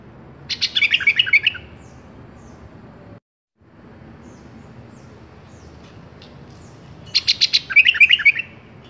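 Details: Sooty-headed bulbul in a song-tutor recording gives two brief bursts of bright, bubbly chirping notes, one at the start and one near the end, separated by quiet background hiss.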